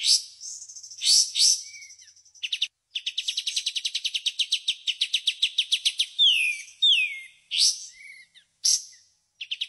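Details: 'Tembakan'-style song from a white-shouldered triller: scratchy bursts, then a long, fast, steady volley of sharp notes, followed by clear downslurred whistles and further rasping calls.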